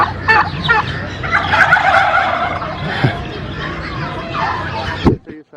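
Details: A flock of domestic turkeys in the bird park of Lake View Park, Islamabad, Pakistan, in the afternoon, gobbling together in a dense, rattling chorus of overlapping gobbles, with a man's voice and park background noise.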